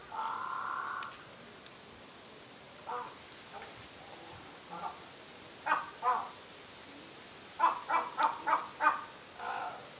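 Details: Single crow that flew into a Humboldt penguin enclosure, calling repeatedly at the penguins: a long harsh note first, then scattered caws building to a fast run of five or six hoarse caws near the end.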